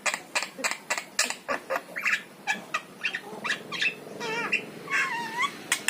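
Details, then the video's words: Yellow-eyed Javan myna song for luring pet mynas to sing: repeated harsh chack notes slowing down, then wavering, trilled whistles that rise and fall in a rolling pattern. "KICAU JALAK KEBO MATA KUNING"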